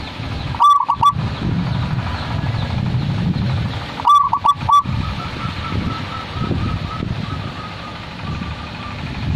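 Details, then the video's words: Zebra dove song in two ringing phrases of clipped coos about 3.5 seconds apart. The second phrase leads into a long, softer series of evenly spaced short notes, with low rumbling noise underneath. "ternyata suara seperti ini juga di sukai para kolektor kutut!!"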